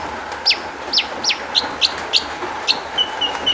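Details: Long-tailed shrike song, a lure for making other shrikes sing: a series of sharp, steeply falling whistled notes repeated roughly every third of a second, closing with three short flat whistles, over a faint hum.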